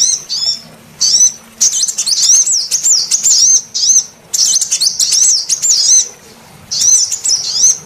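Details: A female sunbird gives very high, thin, wavering twitters in quick bursts of about a second with short pauses, a lure call to trigger other sunbirds into calling, over a quiet background.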